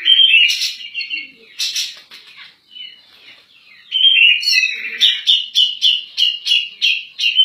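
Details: Persistent 'nembak' song of a cak jenggot, or grey-cheeked bulbul, as a tutor recording for other birds: a few loud chattering phrases, a quieter gap, then a fast run of sharp, bright, repeated notes.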